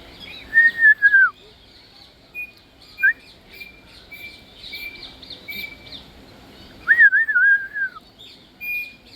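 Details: African grey parrot whistling: a pure wavering whistle that dips at its end, several short level notes, then a looping up-and-down phrase near eight seconds, with faint chirps above.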